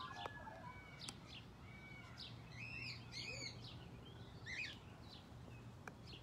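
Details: Rainbow lorikeet in a zoo enclosure at Fort Wayne Children's Zoo, recorded close up: a burst of shrill, squeaky, arched chirps clustered mid-clip, then scattered thinner notes over a low steady hum.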